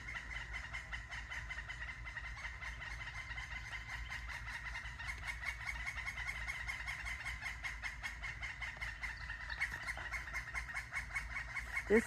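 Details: Two large red-headed woodpeckers calling to each other give a steady, rapid, harsh churring chatter. It is fairly high-pitched and unbroken, over low wind rumble. The birds fly off when approached, and one keeps moving up a tree.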